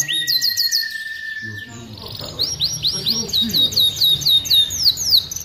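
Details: An aviary canary sings vigorously, offered as a master song for training: a long steady whistled note, then fast rolling trills of high downslurred syllables, with faint lower chatter behind.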